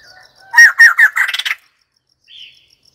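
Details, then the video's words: White-crested laughingthrush giving a short, loud, harsh cackling outburst of several rapid notes. The burst ends abruptly, then a faint higher note follows amid quiet ticking. "White crested laughingthrush call 49"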